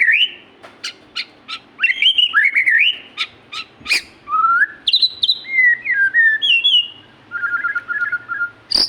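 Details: Magpie-robin in full, vigorous song, mixing sharp clicks and chips with fluty whistled notes that rise and fall, varied warbling phrases, and a short rapid trill near the end, delivered almost without pause.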